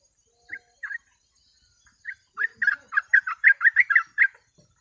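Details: Training recording of a sooty-headed bulbul: a few spaced bubbly notes, then a quick chattering string of short warbled phrases, mid-pitched and clear over a quiet background.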